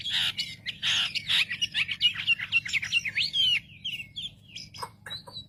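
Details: Wambi singing as a provoking lure for other wambi birds, with rapid, jumbled high twittering, quick rising and falling whistled slurs, then scattered sharp chips after a pause. A low steady hum runs underneath.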